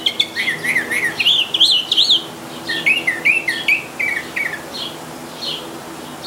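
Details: A Northern Mockingbird in a backyard sings quick runs of bright, warbled and slurred notes, each phrase repeated several times before shifting to a new one.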